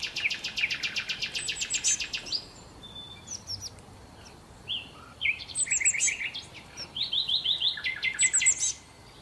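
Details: Several sparrows eating leftover breakfast on hotel restaurant tables in Marsa Alam chirp in quick bright runs, a fast rattling burst first, then overlapping clusters of short repeated notes.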